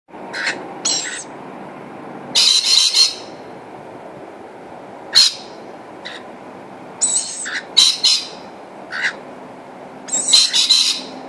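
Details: Rainbow lorikeet family, two parents and their new baby, at a feed: harsh, screechy squawks in short bursts, some rapid and doubled, separated by quiet gaps over a steady low background hum.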